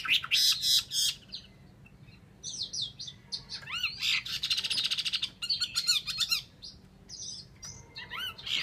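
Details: Chinese hwamei giving bursts of buzzy, harsh notes mixed with quick upslurred whistles and rapid chattering, loud in short outbursts with brief pauses between them.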